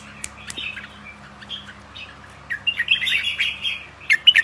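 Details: Caged young albino red-whiskered bulbuls, bought to pair for breeding, start with faint scattered notes, then break into a quick run of bright warbling chirps and a few sharp tweets near the end.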